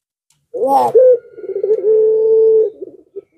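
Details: Barbary dove in the pelung style, used as a lure to make doves that rarely call answer: a quick rising stutter of notes, then one long, steady, drawn-out coo, ending in a soft short note.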